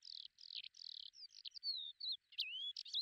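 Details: Lesser short-toed lark, Belchite, Zaragoza province, Spain, in July 2019: scratchy buzzy notes lead into clear whistled slurs and sharp chirps in a quick, unbroken jumble lasting about three seconds.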